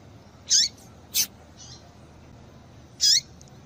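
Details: Calling female double-collared seedeater, used to stimulate males: three sharp high notes with slurred endings, the first two close together and the third after a pause of nearly two seconds, plus a faint softer note.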